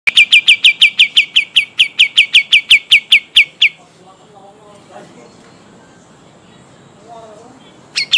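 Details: Pied triller from Kalimantan in a long rolling 'ngeroll' song: about seventeen sharp, downslurred, high notes at roughly four to five per second. The trill lasts near four seconds, then near silence with faint low sounds, and a new burst begins at the end.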